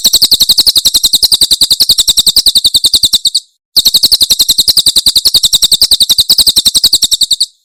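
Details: Javan prinia, the Cililin type, in a very clean tutor recording for caged songbirds: two bursts of about three seconds each, made of rapid, evenly spaced high chipping notes, roughly ten per second, with a silent gap between bursts.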